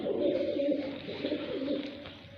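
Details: Pigeons of the fighter type in a village of Sindh, Pakistan, giving low, droning coos that merge into a steady hum, gradually quieting toward the end.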